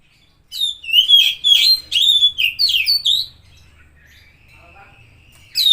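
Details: An Oriental magpie-robin sings a stimulating song meant to rouse a silent or stressed bird: a rapid series of loud, varied whistled notes, then a long thin steady whistle and a fresh burst at the end.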